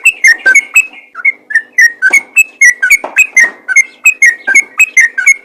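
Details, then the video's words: Sooty-headed bulbul lure call for drawing responses from other bulbuls, a continuous run of liquid, chirpy whistles with bubbly rhythm and a faint low background hum. "PANGGILAN BURUNG TRUCUKAN ROPEL GACOR FIGHTER||TRUCUKAN LAIN PASTI LANGSUNG IKUT BUNYI"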